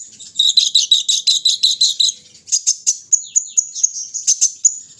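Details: High, fast chattering trill from a kolibri ninja sunbird out for morning airing, about two seconds of rapid pulsed notes, followed by evenly spaced sharp high chips and a thin drawn-out whistle.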